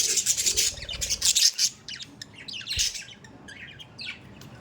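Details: Pet budgerigars in a loud opening burst of hissing, scratchy squawks, then softer twittering chirps trailing off toward the end.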